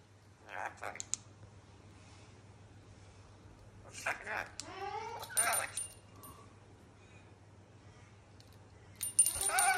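A rainbow lorikeet chatters in three scratchy, speech-like bursts, one holding a quick series of falling, voice-like notes, over a steady low hum indoors.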